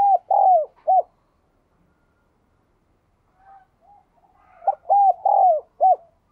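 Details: Spotted dove, kept as a captive bird, cooing: a clipped note, a steady coo, a long falling coo, then a short closing note. The phrase is given twice, with a quiet gap and faint soft notes between.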